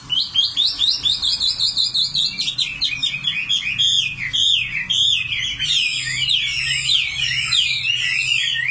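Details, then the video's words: Singing common nightingale: a quick series of evenly repeated sharp notes, about three per second, then a switch into fast, twisting, rich warbles that run on continuously. "Singing nightingale. amazing bird song"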